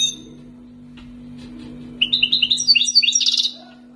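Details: Two-year-kept wild-origin European goldfinch from Algeria, singing tibatbati and sbat sbati song: a brief chirp, quiet gap, then a lively stream of high twittering notes closing in a dense buzzy flourish, over a low steady hum.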